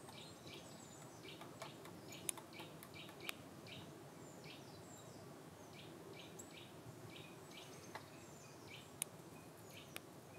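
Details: Eurasian Nuthatch in Scotland's Cairngorms National Park in March 2019, giving short, sharp notes about twice a second with occasional higher chirps, over a steady background hiss of wind or distant water.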